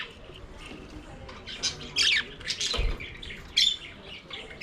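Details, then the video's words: Budgerigars singing and playing in their aviary: scattered harsh squawks and chirps in short bursts over a quieter murmur, with one low thump midway. "Budgies singing and playing in their Aviary"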